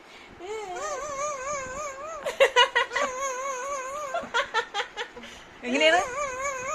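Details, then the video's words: A pet black-capped lory, asked to do its fake cry, gives a wavering, whining wail like mock crying, then a run of sharp clicking bursts and another quavering wail, with household voices nearby. "parrot talking ഇവന്റെ ഉടായിപ്പ് കാണു black cap lorri amazing voice"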